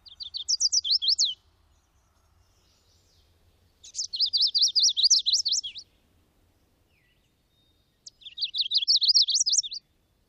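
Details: Chestnut-sided Warbler in young shrubby woodland habitat singing three times, each a high, sweet run of quick slurred notes about two seconds long, remembered as 'please please please to meet you'.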